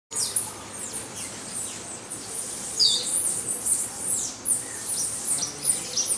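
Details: Male and female green honeycreepers give a busy stream of thin, high, sharp chips and short downslurred notes, overlapping throughout, with a soft hiss of background noise; Buenaventura reserve, Ecuador, July 2012.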